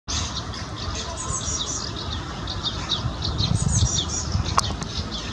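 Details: Whiskered terns at Zalew Witoszówka on 7 June 2020 give a steady stream of short, harsh, overlapping chirping calls, many birds at once, over a low rumble of wind.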